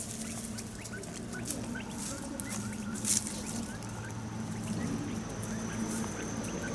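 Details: Family of five Taiwan hill partridges foraging on the forest floor at Dashue Mountain National Park, Dong-xi District, Taichung City, 18 January 2021; faint scattered chirps over rustling, a sharp scratch burst midway and steady low hum.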